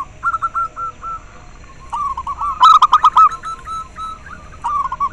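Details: Local zebra dove song, used to stimulate the breeding drive of captive doves and to lure them. Soft, low, rolling coo phrases are followed by a loud burst of fast, bubbly, clipped notes. Fainter cooing from other doves continues between phrases.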